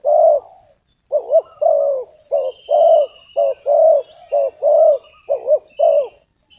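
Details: Lure call of a spotted dove used to call in wild doves: loud, close cooing with quick doubled notes and rounder, sustained coos following each other rapidly, and faint thin high whistles in the background.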